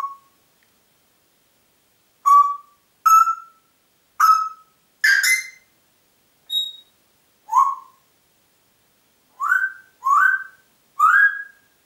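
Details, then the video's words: Congo grey parrot whistling indoors in Diebach near Hammelburg, 4 April 2012: about ten short upward-swooping notes spaced roughly a second apart, with one high thin tone among them, quiet between notes. "Kongo-Graupapagei pfeift pfeifen"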